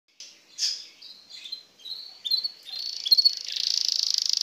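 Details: Belgian canary singing its bell song: a few scattered high chirps and short trills, then a sustained fast buzzy trill at high pitch building steadily louder toward the end.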